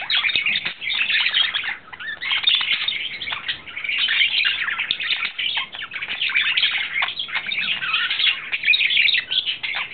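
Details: Male budgerigar in love, recorded April 2009, pours out a continuous chattering warble of rapid scratchy chirps and squeaks, rising and falling in loudness without pause.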